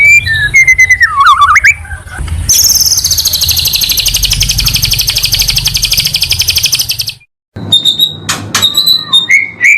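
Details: Training master of white-rumped shama (murai batu) pastol song for caged birds: wavering and descending whistles, then a loud, sustained, very fast high trill lasting several seconds, a short gap, and scattered sharp whistled notes.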